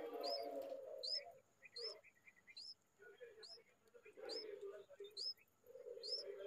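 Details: Bulbul feeding its chicks with insects in hot weather; thin, high, arched whistled notes repeat roughly once a second, with shorter lower chips between, over a steady low hum and brief background rustling.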